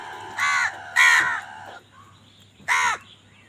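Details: A crow in a fight over food gives three rasping caws: two in quick succession, then a pause of over a second before a third. Soft chirping lies behind them.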